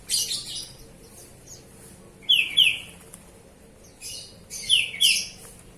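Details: Oriental magpie-robin singing while bathing: pairs of clear, downslurred whistled notes repeated twice in the clip, between short broadband splashing bursts.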